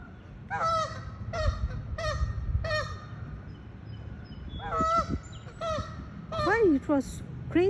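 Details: Chasing geese at SIUE, Illinois, giving loud, clear nasal honks, each a short harmonic blast, repeated about every half second in bursts, with some honks sliding downward near the end, over a low rumbling background.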